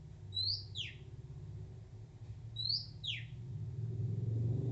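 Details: Oriental magpie-robin singing in the wild despite being shy: two spaced phrases of high whistle sliding into a harsh descending buzz, over a loud low engine-like rumble.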